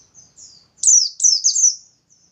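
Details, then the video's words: Bustomi white-eye singing vigorously, used as a lure so other white-eyes open their beaks and join in: a faint high twitter, then three loud, very high, descending slurred whistles in quick succession, with a soft trailing note. "Burung Pleci Bustomi Gacor || Pancingan Pleci Biar Cepat Nembak"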